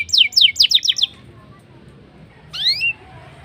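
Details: Black-throated canary singing a chatty rolling and shooting style of song, played to make canaries sing quickly: a run of five fast descending slurred whistles, a pause, then one rising whistled phrase.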